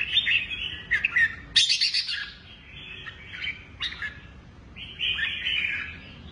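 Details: Caged red-whiskered bulbul giving cheerful, liquid whistled phrases and quick chirps in bursts, with a constant low rumbling noise behind.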